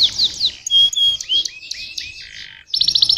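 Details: Canary song: quick descending chirps near the start, then sweet clear whistled notes and short upslurred phrases, ending in a fast bright repeated trill.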